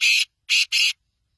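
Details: Black francolin giving three loud, grating, buzzy notes. A single note comes first, then a pause before a close pair, with quiet all around.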